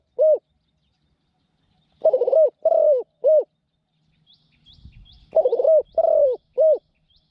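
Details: Caged Spotted Dove serving as a trapping decoy, noted for a small voice and frequent cooing: one short coo, then two three-part phrases of soft stuttered coo, long sliding coo and clipped ending, with faint high chirps.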